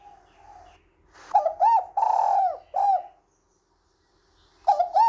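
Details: Spotted dove, a female calling to stir a male and used as a lure, gives low, soft coos in a short uneven phrase: a few notes, a pause, then another burst.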